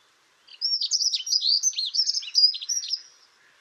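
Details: Short-toed treecreeper (Certhia brachydactyla) in coastal woodland at Taramancos beach, Noia estuary, Galicia, giving a quick, thin run of very high, sharp notes tumbling up and down for nearly three seconds; call.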